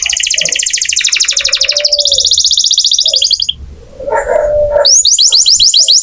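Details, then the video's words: Canary in full song: long, rapid, high rattling trills, a brief pause with a lower warbled phrase, then quick bright sweeping notes repeated in a fast series. "Kenari gacor cocok buat masteran kacer nembak"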